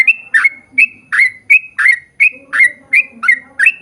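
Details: Lure song of a prolifically singing yellow-vented bulbul, meant to draw replies from its own kind: a steady run of short bubbly whistled phrases, roughly three every second, fairly regular.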